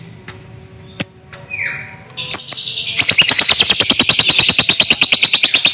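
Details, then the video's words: Lovebird, a young bird, giving a long ngekek trill: after a few sharp chirps and a short descending squeak, a rapid, buzzy, high-pitched chatter starts and runs steadily, about three notes per second, to the end. "LOVEBIRD PAUD NGEKEK PANJANG"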